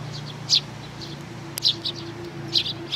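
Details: Sparrows, chicks with their parents, recorded 11 May 2019: short high chirps at scattered intervals, a few louder ones standing out, with a low steady hum underneath.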